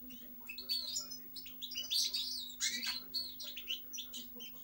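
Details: Lively goldfinch song of sharp chirps, bright tinkles and fast twittering runs in rapid bursts, steady low electrical hum in the background.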